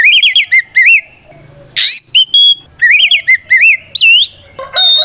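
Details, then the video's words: Caged white-rumped shama pouring out fighting song that challenges rivals; repeated wavering trilled whistles in looping pattern, a harsh rasping burst, pure whistles, then the looping trills again and a rising sweep. "Suara Burung kacer gacor NGEPLONG tarung ini paling ampuh buat PANCINGAN KACER agar EMOSI Nyaut"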